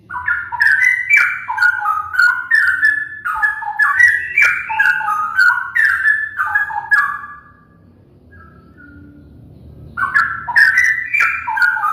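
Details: Straw-headed bulbul song of bright, fluid whistled notes dropping and rising in rapid bubbling phrases for about seven seconds, a quiet gap with low hum, then the rich warble resumes.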